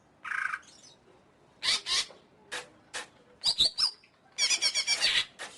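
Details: Greater green leafbird singing: bursts of harsh, buzzy, broadband notes separated by short pauses, with rapid chattering trills near the end and no other sounds.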